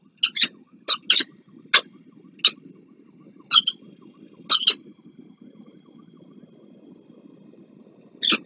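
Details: Peregrine falcons at a nest on the Palace of Culture and Science in Warsaw, Poland, 26 April 2024, a parent delivering food and the female feeding small chicks; harsh, rasping calls in short bursts, some doubled, with quiet gaps between.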